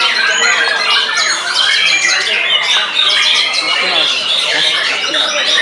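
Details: White-rumped shama kept as a songbird, singing fiercely after its moult; loud continuous medley of bright whistles, squawks and rapid trills with no breaks.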